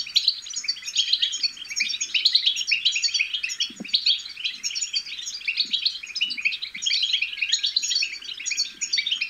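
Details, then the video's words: European goldfinch chicks giving a dense, continuous twittering of high, scratchy chirps and trills, used to stimulate goldfinches to sing and mate; a few faint low knocks underneath. "بتبتة الحسون الأكثر تحفيزا أن لم يغرد الحسون فعلم حسونك انثى او ابكم بتبتات فراخ الحسون الفتاكة"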